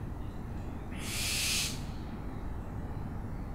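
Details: Owl giving a single harsh, hissing screech of just under a second, noisy and broadband, rising and fading smoothly over a steady low background rumble.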